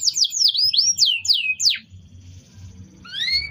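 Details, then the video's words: Canary song used to train other birds: six loud descending whistled slurs in a quick series, then near-quiet before a faint rising whistle at the end, over a low hum. "Masteran burung kenari"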